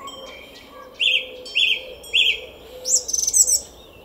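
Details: A song thrush sings in a garden at Szalkszentmárton, Hungary, at 06:15 on 10 April 2021: a clear, slightly descending whistle three times at half-second intervals, then a higher rapid stuttering phrase, other birds faintly behind.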